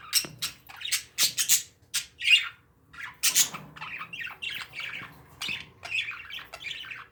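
Parakeets chatter with harsh squawks and quick high chirps, several bursts a second at first, then softer warbling chatter, in a quiet room.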